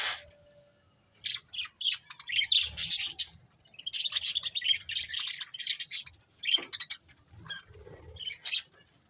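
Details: Chirping from a budgerigar breeding pair: fast scratchy chattering at several notes per second, in long runs broken by short pauses, with faint low rustling.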